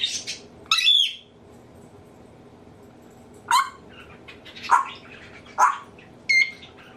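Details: Pet African grey parrot indoors mimicking its owners' sneezes, laughter, burping and nose blowing: a loud squawky burst, then several short rising sneeze-like bursts and a brief whistled note.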